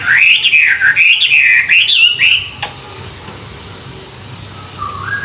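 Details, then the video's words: Morning song of a Chinese hwamei for training: three clear, wavy whistled phrases in a row, a sharp click, then near quiet with one faint low rising whistle at the end. "luyện giọng họa mi họa mi hót buổi sáng, kích bổi quá đỉnh"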